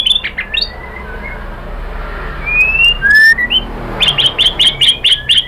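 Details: White-rumped shama singing to stimulate other birds: scattered clear whistles and slurred notes over a hissing background, ending in a series of sharp repeated notes.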